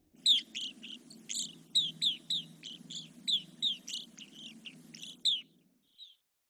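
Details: Evening Grosbeak, a winter visitor, giving its chirping calls in a rapid series of sharp, high chirps, two or three each second, over a low steady rumble.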